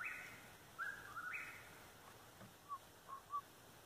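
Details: An Eastern Whip-poor-will calling nearby in strong light gives one clear, whistled three-part phrase that ends on a rising note, followed by a few fainter short whistles.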